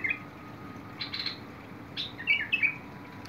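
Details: Bulbul singing, 21 August 2022: a tiny note at the start, then a quick gurgling phrase of two or three slurred whistles near the end, with a few soft buzzy chips between.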